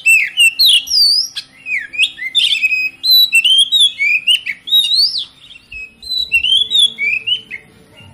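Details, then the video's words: Oriental magpie-robin lure song meant to trigger other magpie-robins to sing: a continuous, loud, varied string of sweet whistled phrases, upslurs and downslurs mixed with brief harsh notes, steady for eight seconds. "PANCINGAN KACER PALING AMPUH MERANGSANG KACER LAIN AGAR LANGSUNG BONGKAR ISIAN"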